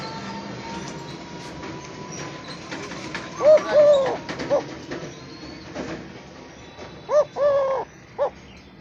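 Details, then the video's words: An owned Eurasian collared dove in a village gives two soft, hollow three-note coos, short-long-short, about three seconds apart, over a steady background hiss with faint clicks. "আমার দোলে ঘুঘুর ডাক ।। my Eurasian collared dove sound"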